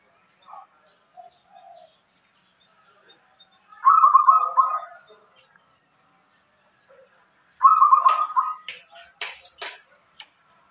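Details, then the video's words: Local zebra dove giving two separated phrases of fast, rolling cooing notes, each about a second long, with scattered clicks and knocks after the second phrase. "perkutut lokal irama gacor"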